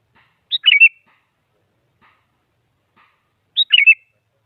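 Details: Challenging song of a sooty-headed bulbul aimed at rousing a silent rival: two matching short whistled bursts, each a high note followed by tumbling slurred notes, repeated about three seconds apart, with quiet gaps between.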